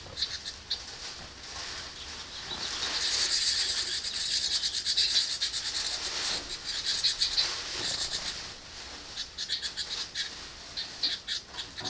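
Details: Young house wren hatchlings inside a nest box scream for more food when a parent arrives. A continuous high, hissy, buzzing chorus builds after a few seconds, then breaks into pulsing chattering bursts.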